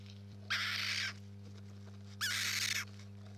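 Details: Rainbow lorikeets nesting; two long, harsh, broadband screeches about a second and a half apart over a low electrical hum.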